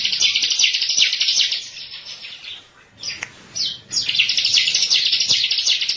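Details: Bar-winged prinia, locally ciblek, singing a master lure song: a rapid buzzy high chatter, a quieter gap with a few short upslurred whistles, then the fast pulsed trill resumes.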